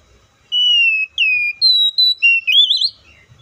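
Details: Oriental magpie-robin singing one clear whistled phrase: a long, slightly falling note, then a series of short whistled notes at different pitches ending in a rising, warbled flourish, with little background sound.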